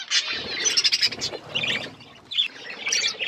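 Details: Wild parrots give quick bursts of shrill, grating chirps in a few separate clusters, each lasting under a second, with short quieter gaps between them.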